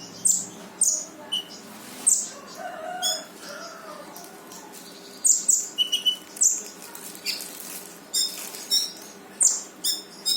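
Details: Brown-throated sunbird singing energetically in "tembakan" bursts, played to spur reluctant birds into song: clusters of shrill, high, needle-thin chips repeated in rapid volleys with short irregular gaps, plus a few lower twittering notes.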